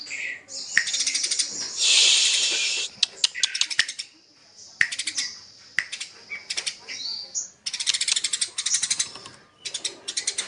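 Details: Fighting Eurasian tree sparrows give harsh, rapid chattering chirps in loud runs, with a noisy hissing burst early on and scattered clicks between the chatter.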